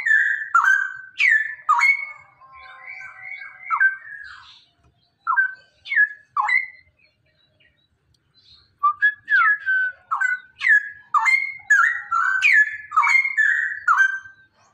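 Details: Male cucak rowo, the Straw-headed Bulbul, in ropelan song meant to coax other birds into singing: bubbling, liquid whistles dropping in pitch, delivered in fast bursts separated by brief pauses, ending in a long flowing sequence.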